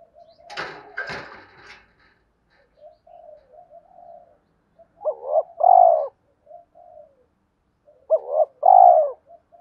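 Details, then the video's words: Spotted dove coo in the 'hai hậu' style, aimed at provoking wild doves. A brief rustling clatter comes first, then soft murmurs. Two clear phrases follow, each a stuttered double note and then a long downward coo. "tiếng cu gáy kích bổi mỗi ngày, gáy gọi hai hậu"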